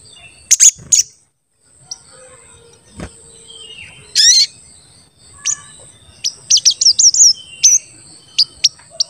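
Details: Crested jay in full voice, used as a lure to make other crested jays call and grow excited: sharp, very high chirps and a few rising whistled notes, then a quick series of short chirps near the end, with a faint hum beneath.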